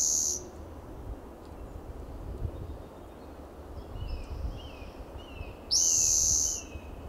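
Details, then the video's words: A spotted towhee perched in a shaded coast live oak in Del Monte Forest, California, on a June morning sings two harsh, buzzy, high trills about five seconds apart; faint thin notes of another bird and a low rumble. "Spotted Towhee sings"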